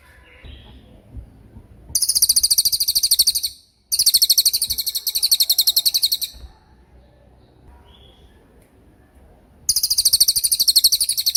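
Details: Cililin in tembakan mode, a masteran recording for murai batu and other songbirds: long, piercing, rapidly pulsed trills of about two seconds each, two close together, then a pause and another starting.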